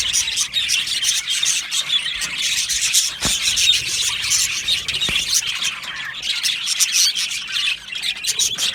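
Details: Budgerigar colony in an aviary during breeding and mating: many birds chirping and warbling together in a steady, high-pitched churr of squeaks and twitters, with a couple of sharp clicks.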